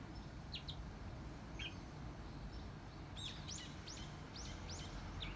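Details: Bourke's parrot, a young bird not yet talking, giving soft, high, quick rising-and-falling chirps, a few scattered at first, then a run of about seven closely spaced notes, over steady low background hum.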